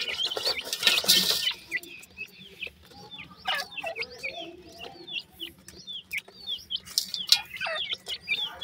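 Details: A loud rustling burst opens the recording, then several grey francolin chicks peep steadily: short, high, down-curving notes at uneven intervals, about three per second overall, with occasional clicks.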